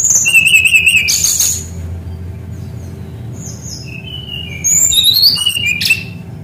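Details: Persistent, rolling song of a Brown-chested jungle flycatcher used as a lure to get young birds singing: trilled high whistles, a pause with soft slurred notes, then a new run of rising and falling whistles over a faint hum.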